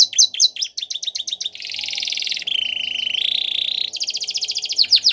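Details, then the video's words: Belgian canary song, used for training canaries: quick staccato notes run into a long, smooth buzzing roll, then a bright fast trill closes the phrase. "Canaries Singing | Belgian Canary Song"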